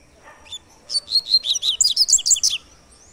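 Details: "Tui tui" three-note song type of a Double-collared seedeater: one soft lead note, then a rapid run of a dozen bright, high chirping notes that climb in pitch toward the end, about three per second apart.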